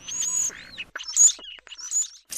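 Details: Male European starling (Sturnus vulgaris) in springtime Wisconsin sings a jumbled courtship song with wing-flapping display: thin high whistles, sliding notes, dry clicks and short rattly bursts, with brief gaps between phrases.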